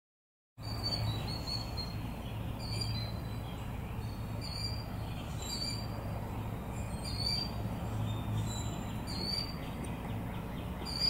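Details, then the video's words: Two or three Killdeer, recorded 23 February 2018, trade shrill, high, slurred calls roughly every second or two, overlapping in a duet or possibly a trio, over a steady low rumble like a passing train. "Killdeer duet or possibly a trio"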